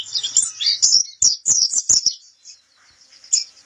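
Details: Pleci kapur white-eye song for training: quick high chirps and twitters over about two seconds, punctuated by loud sharp clicks, then it trails off into fainter notes with one last chirp.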